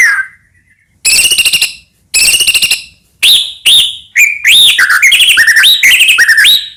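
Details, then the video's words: Medan white-rumped shama singing nonstop with varied fill-in phrases, used as a lure for other shamas. A falling whistle precedes two harsh rattling bursts, then a rich stream of looping, rising and falling whistled notes. "murai batu gacor AMPUH buat PANCINGAN murai batu agar bunyi"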